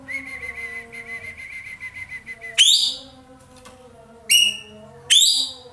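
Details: Racket-tailed treepie (ekek keling), Indonesia, a bird prized for its loud sweet voice, singing actively: a steady fluttering whistled trill, then three loud, bright, falling notes spaced one to two seconds apart over low hum.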